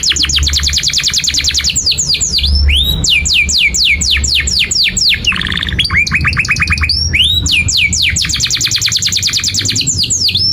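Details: Long continuous canary song used as a tutor for young canaries learning to sing: rapid trills of repeated downward-sweeping whistles, fast buzzy rolls and high chips, alternating phrases without pause; a low hum underneath.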